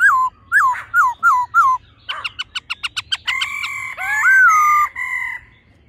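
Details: Male and female laughingthrush, the male delivering a wild, mature-voiced song: five repeated falling whistled notes, a rapid burst of short clicks, then long steady whistles with a swooping slur.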